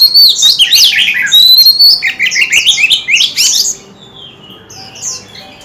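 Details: Loud varied song from a tail-fanning white-rumped shama, mixing pure whistles with rapid slurred notes for nearly four seconds before fading to quiet.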